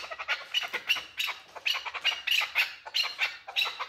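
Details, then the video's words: A male chukar partridge calls with harsh, clucking chuk notes in quick bursts of about three or four per second, rough and mid-to-high pitched, with no other sounds. "Красивый Голос КУРОПАТКИ || Chukar Partridge Male CALL || KEKLIK SESI"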